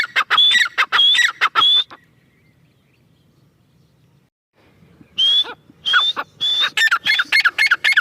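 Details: Female grey francolin (teetar) calling: loud, harsh repeated phrases, each with a high whistled note and a falling squeal, delivered in rapid bursts about every half second, then a pause of silence before the series resumes.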